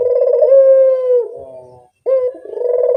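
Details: Lure sound of a Barbary dove: a deep, steady, rolling coo that sags at its close into a quiet nasal murmur, followed after a short gap by another coo.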